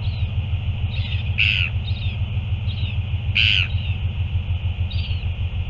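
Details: Northern royal albatross feeding scene, 9 February 2024: two loud, harsh, squealing bursts about two seconds apart, each trailed by softer, rising squeaks, set against a heavy, steady low rumble of wind.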